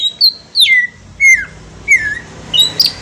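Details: Green leafbird song as a lure to draw a response: a few clear whistled notes sliding downward, spaced about half a second apart, with a faint steady hum behind.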